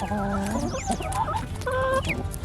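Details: A rooster at morning feeding in a backyard flock gives low, rapid, repeated 'buck-buck' clucks to tell the hens there is food, while higher peeps from other chickens sound over a steady background hum.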